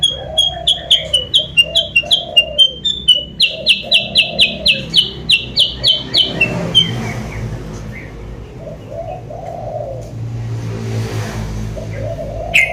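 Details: Sooty-headed bulbul lure sound, used to draw rival birds closer: a rapid series of sharp, bright chipping notes, about four per second, for roughly seven seconds, then fading into a quieter mix of faint chirps and low cooing in the background.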